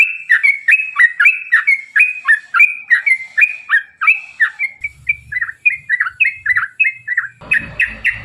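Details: Yellow-vented bulbul delivering a long rapid ropel song to spur other bulbuls to sing; crisp bouncing notes repeated over three times a second for eight seconds, with a hissing burst of noise near the end.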